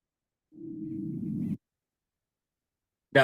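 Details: Greater prairie-chicken on prairie habitat gives one low, hollow, moaning boom lasting about a second, a sound said to echo for miles; a brief sharp sound follows after a pause.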